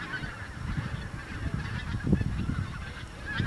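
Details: A flock of overwintering Bewick's swans near Kaprijke–Watervliet, Belgium, on Christmas Day 2013, alongside geese, give soft, overlapping honks and yelps that merge into a steady, low, murmuring chorus.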